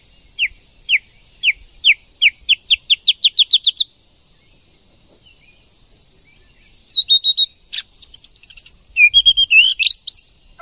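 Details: White-rumped shama pair, female stimulating male singing: a series of sharp downslurred notes that speeds up into a rapid burst, a few seconds of silence, then a lively jumble of high whistles, trills and clicks.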